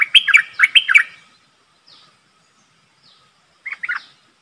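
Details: Decoy streak-eared bulbul calling while a wild flock approaches; two quick phrases of looping, liquid chirps, a silence, then a shorter phrase of two or three notes.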